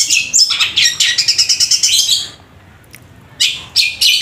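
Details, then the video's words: A long-tailed shrike in loud, long, powerful song, mimicking fighting sparrows, sings a rapid run of high, scratchy chattering notes, about two per second, then more harsh bursts after a short pause. "Cendet suara gereja tarung sambung kunti gacor panjang keras powernya"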